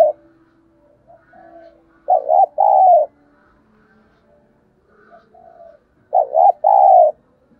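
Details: Spotted dove cooing to attract wild doves: soft short coos lead into two strong phrases roughly four seconds apart, each two quick notes and a long, gently falling note.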